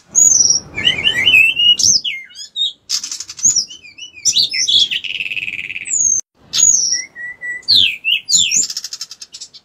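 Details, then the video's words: Bar-winged prinia singing vigorously: bright whistles, rising and falling slurs, and repeated stretches of dry buzzy trilling, with a few brief pauses between bursts. "decu gacor"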